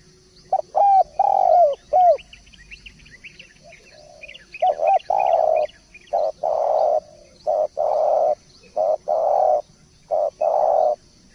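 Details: Spotted dove in steady song, giving a long run of low coos, some short and downslurred and others long and sustained, about one per second, with light high chirping from other birds early on.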